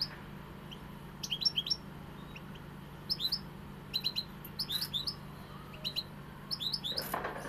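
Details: European goldfinch delivering repeated bursts of quick, high, liquid twittering notes with short pauses between phrases, a brief rustle near the end, over a steady low hum.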